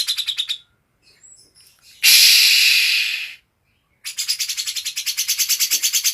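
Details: Green leafbird song mixing in cucak jenggot material: fast rattling trills of rasping notes, broken by a loud, prolonged hissing screech lasting over a second, then another accelerating series of harsh pulses.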